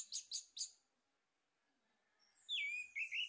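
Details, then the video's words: Male orange-headed thrush used as a lure to stimulate singing: three quick high chirps, a short pause, then loud clear whistled phrases that slide and warble, ending in a rising flourish. "PANCINGAN ANIS MERAH JANTAN PALING POPULER"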